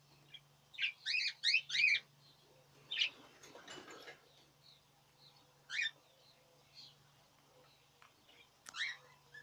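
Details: Budgerigars in the 2017 breeding season: a quick run of four scratchy chirps, then sparse single chirps, over a steady low hum and some rustling.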